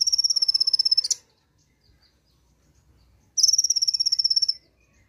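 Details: Brown-throated sunbird (konin) joining in with the rapid 'nembak' song after hearing a playback once. Two dense, buzzy high trills, each about a second long, separated by a couple of seconds of quiet.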